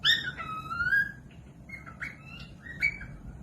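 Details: Cockatiel song meant as a model for training other birds: a long, smooth falling whistle rich in overtones, followed by three shorter, brighter whistled notes spaced about a second apart, with a faint low hum behind.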